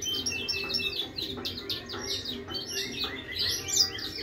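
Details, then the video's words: Hybrid mule of a finch and a siskin singing nonstop: quick twittering phrases of high chirps and downward whistles, with a steady low hum in the background. "FICH HYBRID MULE SISKIN GACOR TEMBAKAN"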